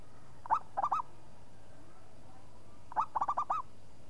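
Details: Energetic local zebra dove singing: two cooing phrases about two and a half seconds apart. Each opens with a short note and then runs into three or four soft, burbling coos. Low background murmur.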